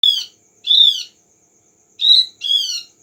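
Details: Javan grey-throated white-eye lure call, played to make the bird answer: short bright chirps with harmonics, some rising then falling, given in pairs and singly about half a second long, with a faint steady high tone behind.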